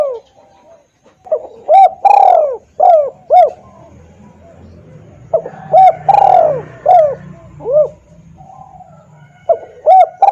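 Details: Spotted dove lure call, loud and clear, used to draw wild doves into answering: two phrases of short hooted coos, each swelling into one longer drawn-out note, with a long pause between phrases and a faint low hum underneath.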